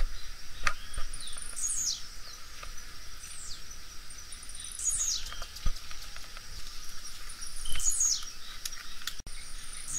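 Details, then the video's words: Blue-black grassquit singing: a thin high buzzy phrase sweeping downward, repeated roughly every three seconds, with clicking knocks and background noise. "Canto do Tizil"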